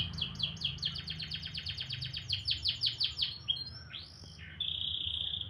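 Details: A canary sings in the morning, pouring out fast repeated downward-sweeping chirps, a looping whistled note, then a sustained high trill, with low background hum.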